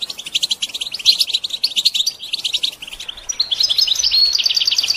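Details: Goldfinch song used to stimulate songbirds in training, a lively run of repeated high chirps and twitters, ending in clearer whistled notes and fast trills.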